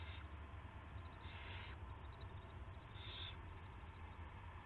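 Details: Predawn owl nest sounds on March 9, 2016, around prey delivery of a rat: two breathy, noisy screech-like bursts, the second shorter and tighter, with constant low rumble behind.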